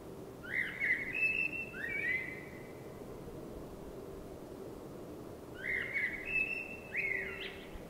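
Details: Common blackbird singing at night in spring, repeating two similar rich whistled phrases about five seconds apart, each of several fluty slurred notes with a thin twittering finish, above a constant low hum.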